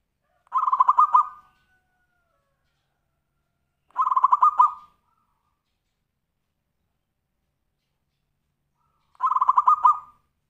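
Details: Zebra dove singing tumpang sari style, meant to prompt other birds to sing: short bursts of quick rattling coos, each about a second long, repeated at intervals of three to five seconds.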